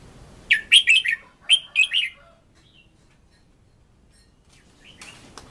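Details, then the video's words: Red-whiskered bulbul singing for decoy voice training: a quick run of five or six loud, slurred whistled notes in two phrases, then near silence and a faint rustle at the end. "Luyện Giọng Chào Mào Mồi - Chào Mào Giàn Đạt Căng Lửa"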